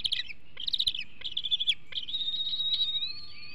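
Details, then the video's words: Bald eagle eaglet at the Hanover nest, 2021, days before fledging, guarding food aggressively: a few rapid high chitters, then a sustained thin whistled whine that slowly wavers and fades. "2021 Hanover Eaglet H313 Shows Food Aggression Days Before Fledge"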